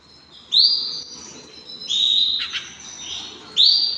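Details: Hand-tamed canaries giving clear rising whistles, three loud upslurred notes spaced about a second and a half apart, with a brief softer buzzy burst between them.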